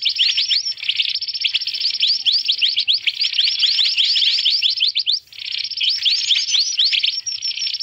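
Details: Noisy mantenan, or black-naped monarch, played as a trapping lure: crowded bursts of fast rising chirps layered over a shrill, hissing wash, with a short break after five seconds before the chatter resumes.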